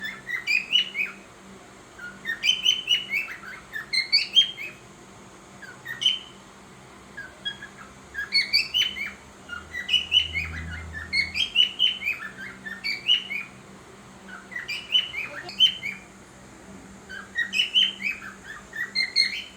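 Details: A pet cockatiel in the morning, making sounds and trying to sing, chirps and whistles in quick bright bursts, repeated every couple of seconds.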